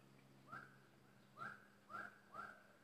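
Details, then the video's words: Bulbul, a decoy bird used in trapping, repeats four short bright whistled notes about every half second. Each note has a faint lower slur beneath it, against a low background hum. "Burung merbah lekir bay hoach thom gacor bahanan"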